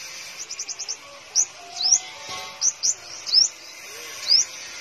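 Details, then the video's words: Caged five-coloured sunbird, kept at home in Tân Phú, Đồng Nai, Vietnam, sings very high and thin: a quick run of five ticking notes, then sharp, rising chips spaced irregularly, about one every half second. "Chim Hút Mật 5 Màu Hót Líu"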